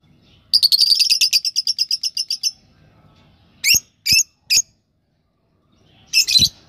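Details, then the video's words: Fischer's lovebird in breeding season at Parbhani, 2024: a rapid run of about twenty shrill, high chirps, then three sharp separate notes and a final harsh burst. The surroundings are quiet. "Fischer breeding season progress 2024"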